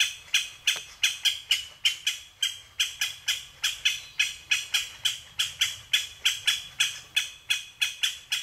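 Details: Japanese green woodpecker repeating hard, ringing call notes in a long, steady volley, over twenty in about eight seconds, against a quiet low hum.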